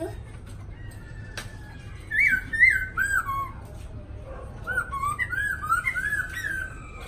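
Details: Caged black laughingthrush, one of two in Hanoi, Vietnam, delivering 'lai dai' song: after a quiet start, bursts of rich looping whistles, each note swooping down then up, grouped in two bright phrases over a steady low hum.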